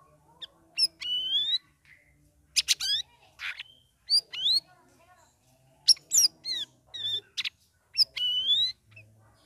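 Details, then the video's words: Ngeriwik ngeplong song from a caged sooty-headed bulbul in its third week of ombyokan care: rising whistled phrases and buzzy chattering bursts repeated roughly every second or two. "CUCAK RAWIS NGERIWIK NGEPLONG"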